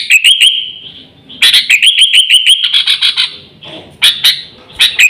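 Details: Sooty-headed bulbul calling as a lure to attract birds and serve as a model for pet birds: quick bright chirp triplets, a pause, then a steady run of evenly spaced chirps with scattered sharp notes.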